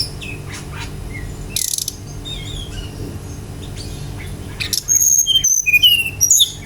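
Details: Brown-chested jungle flycatcher song used to provoke singing in other birds: faint scattered chirps and a brief noisy burst, then a loud closing phrase of clear descending whistles with sharp flicked notes.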